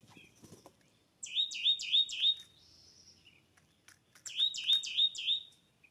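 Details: California scrub-jays feasting on nuts and seeds at an early-morning mountain feeder in Descanso, San Diego County; two quick bursts of four sharp, rasping notes, each dropping then leveling, about every quarter second, with a faint click and rustle. California scrub jay.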